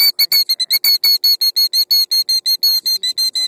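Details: Female killdeer defending her gravel nest with two eggs from an approaching car, fussing loudly; shrill, piercing high notes repeated rapidly, well over one per second, in a steady insistent series.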